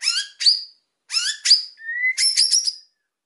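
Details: White-rumped shama song aimed at provoking quiet birds: two paired high buzzy notes each ending in a bright whistle, a rising whistle, then a fast trilled flourish.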